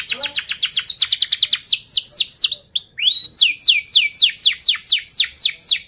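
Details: Canary in full song, meant for young canaries learning to sing: a fast rolling trill of descending notes, a few slurred whistles, then a steady series of sharp downward-swept chirps about four per second.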